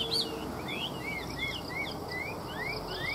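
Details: Chinese hwamei, a caged bird offered for sale, singing: a run of clear whistled notes, short slurred upward sweeps and rising phrases repeated at intervals of well under a second, over steady background hiss.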